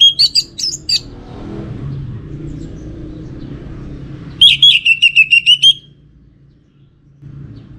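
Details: Orange-headed thrush song from a kept bird in North Bali, Singaraja: a quick cluster of high sharp notes, a pause, then a fast run of about eight clear whistled notes on a steady pitch, then quiet with faint low hum.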